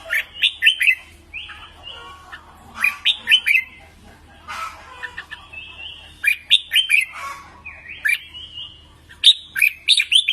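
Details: Red-whiskered bulbul song for voice training: clipped, tumbling whistles in bursts, some trailing into a level rising note, recurring every two to three seconds against a low hum.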